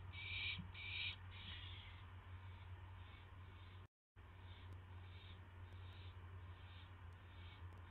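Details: Owl receiving a mouse at night, 9:38 PM, May 9, 2016, on a live camera. Two loud raspy hisses open, then fainter hissing bursts continue over a steady low hum after a brief dropout.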